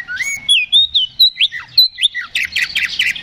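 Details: Fighting-mood Oriental magpie-robin singing to provoke a response from other birds. A rapid string of loud whistled slurs, some rising and some dropping steeply, then dense buzzy chattering notes at the end.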